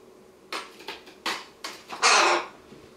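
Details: A Western jackdaw loose inside a house, at a dresser, gives four short, sharp, clipped notes about every half second, then a longer, harsher, rasping call, in a quiet room.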